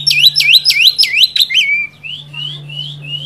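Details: Oriental magpie-robin song for provoking a rival: rapid string of looping swept whistles, then a falling slur and soft rising whistled notes, over a steady low electrical hum.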